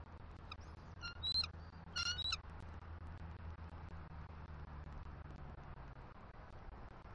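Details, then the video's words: Bald eagle at a Southwest Florida nest on a December 2023 morning, mates greeting at an incubation shift change: a few brief squeaky, whistled chirps early on, then only steady wind and low rumble. "Squeaky Vocals From F23 As She Reluctantly Gets Off Eggs"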